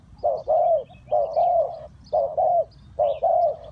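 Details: Spotted dove calling as bait for trapping wild birds: loud, close coo pairs, a clipped note leading into a longer falling one, four pairs in quick succession.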